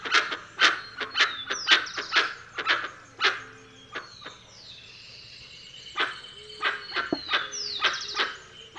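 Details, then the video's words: Dusky-legged guan giving loud, harsh bark-like yelps in quick irregular bursts, about two a second, with thin sliding whistles from other birds behind. "Canto do Jacuguaçu Penelope Obscura"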